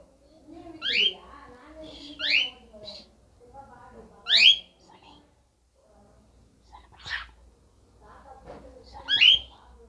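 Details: Cockatiel talking and dancing indoors, giving sharp upward-sweeping whistles spaced every one to three seconds. Softer low murmuring sounds fill the gaps between them.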